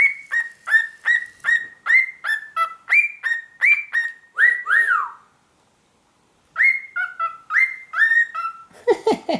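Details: A cockatiel (Nymphicus hollandicus) gives quick, clear whistled notes in a steady run, about three every second.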